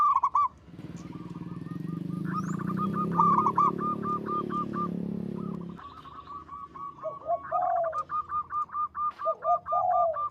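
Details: Local zebra dove in active song with a big, long, melodious voice: strings of quick clipped cooing notes, partly masked by a broad rumbling noise for several seconds, followed by deeper drawn-out coos between further staccato runs.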